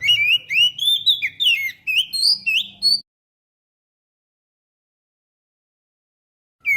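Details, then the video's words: Oriental magpie-robin song used as a lure for birds, GoPro Hero recording: three seconds of rapid, looping whistled notes climbing and dipping, then a long silence and a final note at the very end. "suara pikat burung kacer"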